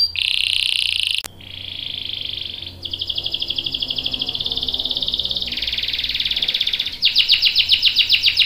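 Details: Canary delivering a long rolling song meant to coach juvenile and adult canaries: a clipped buzzy note, then sustained trills at changing pitches, shifting between rapid rolls and ending in loud repeated sweeps.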